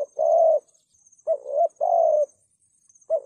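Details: A spotted dove coos thúc gù style, a call used to attract wild doves into traps: a long soft coo, then a short double-inflected note and another drawn-out coo, mellow and low.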